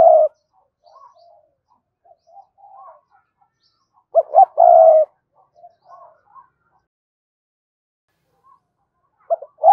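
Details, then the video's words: Sparse spotted dove cooing: one coo at the start, a louder cluster of short and held coos midway, and faint soft notes between, with long quiet gaps. "tieng cu gay kich boi nhanh noi thúc gù gáy gọi hai hậu"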